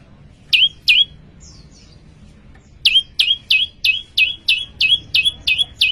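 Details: Prinia known as prenjak lumut singing in gacor style: two sharp high chirps, a short gap with soft thin notes, then a steady run of ten rapid upward-flicking chirps about three per second.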